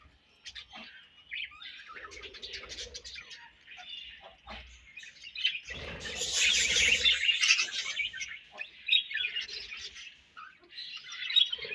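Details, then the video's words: Many budgerigars in a colony keep up a busy stream of chirps and warbled twitters, swelling to a loud overlapping chorus midway, with faint low knocks beneath. "Budgies Colony Chirping Sounds"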